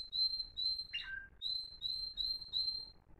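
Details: Florealdo-style song from timbrado canaries, one of three fine birds recorded in 2021: pure whistled notes repeated about every quarter second, broken once by a brief falling buzzy slur, then the steady whistled series resumes.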